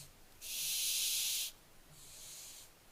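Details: A barn owlet hissing on 15 July 2024: one loud, drawn-out rasping hiss of about a second, followed by a softer, thinner hiss.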